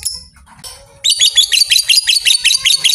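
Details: Lovebird trilling, a sound meant to prompt other lovebirds into long trills: a rapid run of high, harsh chattering notes repeating about every tenth of a second, starting abruptly after a second of quiet low rumbling.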